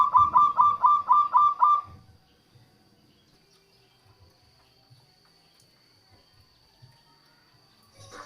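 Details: Local zebra dove song used to lure wild doves and stir lazy singers: one rapid run of about seven short, evenly repeated cooing notes in the first two seconds, followed by near silence with faint low thumps.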